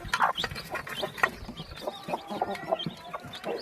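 Chicken chicks give a busy run of short, clucky chirps, several every second and overlapping from more than one bird, over a low background rustle.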